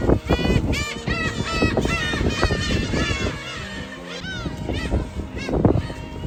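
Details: Breeding colony of black-tailed gulls at the Kabushima Island shrine, Hachinohe, Aomori, Japan, in breeding season around mid-April, calling over one another with many overlapping mewing, rising-and-falling cries over a steady low rumble.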